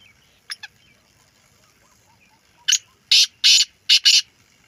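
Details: Female black francolin giving its rasping call: two faint clicks, a pause, then a phrase of five loud, harsh, buzzy notes delivered in about one and a half seconds. The setting is otherwise quiet, with faint background chirps.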